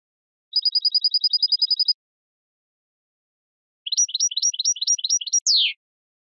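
European goldfinch singing: a fast, even trill of about sixteen high notes, a pause, then a string of quick rising chirps ending in a downward slur. No other sounds.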